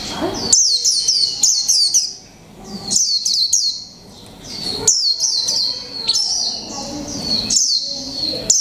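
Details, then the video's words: One-month caged Japanese white-eye ('mộc tinh') delivering 'líu pha chòe trống' song: rapid runs of shrill descending chirps in repeated clusters, broken by two short quiet stretches. "chim khuyên mộc tinh 1 tháng lồng '' LÍU PHA CHÒE TRỐNG '' cực hay"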